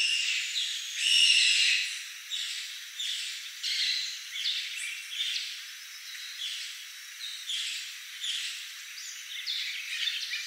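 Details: Macaws at Manuel Antonio, Costa Rica: harsh, raspy squawks in a steady series, about one per second, loudest near the start, with no other clear sounds.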